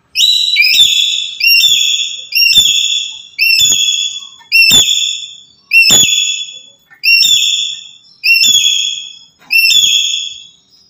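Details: Black-capped lory used as a lure for trapping birds, uttering harsh, high whistled calls in a steady series, roughly one every 1.2 seconds, each a short descending note with a rasping tail, nine calls in all.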